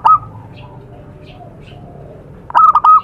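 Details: Wild zebra dove recorded in nature in Indonesia as a lure sound: a short loud coo note at the start, near-quiet faint murmuring, then a loud stuttering three-part coo phrase at the end.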